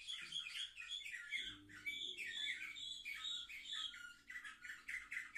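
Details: Seven-month-old canaries, recorded 10 November 2023, singing a continuous, dense warbling run of chirps and rolling notes with a faint low hum beneath.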